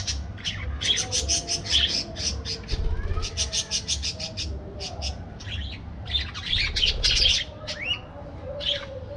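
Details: Budgerigars in an aviary, a dense chorus of short bright chirps and buzzy warbling notes overlapping almost continuously, with a few sliding whistles, over a low steady hum.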